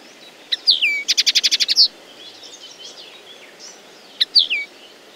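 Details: Common linnet phrase: a downslurred whistle, then a rapid even trill of about eight clicking notes ending in a buzzy note; a similar slurred whistle returns near the end.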